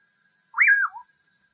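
A common pauraque gives one burry whistle that swoops up, then slurs down, ending in a brief low note. Faint steady insect-like tones run behind it.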